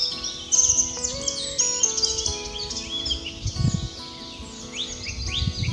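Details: A blackcap in Biebrza National Park, Poland, with its vast swamps and peat bogs, gives quick, high warbled phrases and chirps over a steady bed of soft background music.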